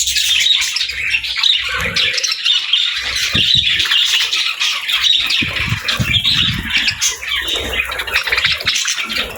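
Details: Chirping budgerigars, called happy birds, in a steady flock chorus of rapid high squeaks and warbled chatter that never pauses, with faint low knocks.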